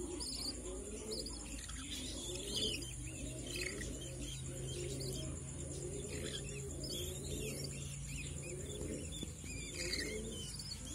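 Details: Budgerigars and chicks in an open garden aviary chatter in busy, overlapping chirps, with low cooing and a steady high whine behind them.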